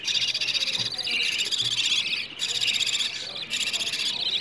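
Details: Budgerigar chicks begging for food, a sound played morning and evening to encourage budgies to breed: continuous harsh, buzzy high-pitched chatter in long rasping phrases with brief pauses between them.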